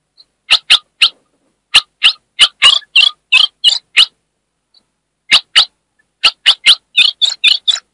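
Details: Ultramarine grosbeak female, said to come from northeastern Brazil, calling to stimulate a male: bursts of sharp, harsh chips in quick runs of three to eight, broken by a silent gap of about a second, no other sounds.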